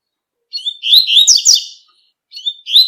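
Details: Short excerpt of a double-collared seedeater's tui-tui song in nature: a swelling phrase of slurred, sweet notes ending in fast high flourishes, followed by the opening notes of the next phrase.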